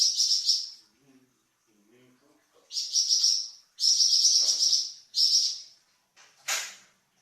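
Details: Flamboyan varied song used to train cucak ijo and magpie robin: high, buzzy, sizzling phrases of about a second each, separated by brief gaps, ending with a sharp downward-sweeping note.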